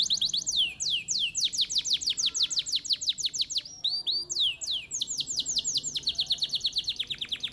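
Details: Competition canary from Mojokerto, Indonesia, singing continuously with rapid, steeply descending whistled notes repeated about three per second, broken by brief rolling upsweeps and fast trilled passages.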